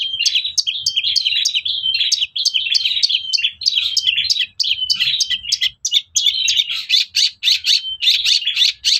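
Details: Long-tailed shrike song used as a lure to provoke other shrikes into singing: fast, continuous chattering of sharp notes around a steady high tone, repeated several times a second with brief pauses, in a quiet setting.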